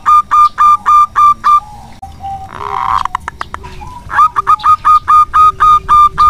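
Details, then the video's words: Lively local zebra dove, used as a lure, gives a run of clipped cooing notes, then a stretch of rustling and clicks, followed by another steady series of evenly spaced coos. "Perkutut lokal gacor untuk pancingan sangat bagus."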